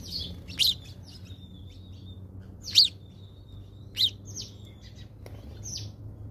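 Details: House sparrow at a feeder in South Africa, among birds pecking at seed; loud, sharp cheeps repeated every second or so, with a thin, faint whistle in between, over a quiet low hum.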